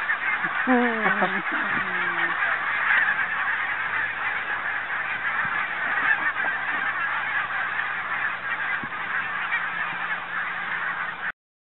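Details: A big gathering of Barnacle Geese, Arran and Islay 2009, opens with a few clear nearby honks over an unbroken, busy wash of distant yapping flock calls that carries on steadily until an abrupt stop.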